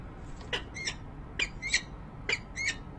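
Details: Resident female peregrine at her nest ledge, Rachel Carson building, Harrisburg, PA, January 19, 2013, recorded by a nest camera. Close, loud paired notes, a short rasp and then a squealing note, repeat roughly every 0.9 seconds.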